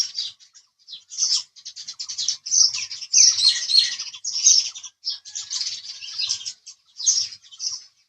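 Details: House sparrow chirps come in a busy, almost continuous stream of short, sharp, high notes. The pace varies throughout, and there are louder bright clusters in the middle.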